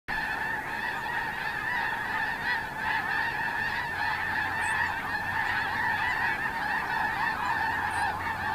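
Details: Snow geese flock at Terranova on Monday, 9 October 2017, a dense continuous chorus of overlapping nasal honks forming a steady wall of sound without pauses.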